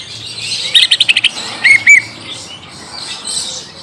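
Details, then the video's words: Short lure for a young wild-caught green leafbird: a quick stuttering trill of high notes, then two clear, ringing whistled slurs, fading into soft background noise. "Pancing cucak ijo bakalan / mh langsung nyaut bunyi"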